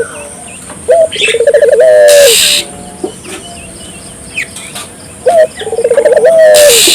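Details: Barbary dove calling, recorded as a lure to get local doves calling. Two cooing phrases, each a short note, a rapid bubbling run of pulses, then a long level coo that drops at the end. Brief bursts of rushing noise and faint chirps in the background.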